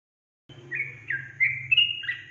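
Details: Sooty-headed bulbul song used as a lure to stir up young bulbuls. A short run of clear whistled notes, slightly slurred and stepping between two pitches, with faint low hum behind.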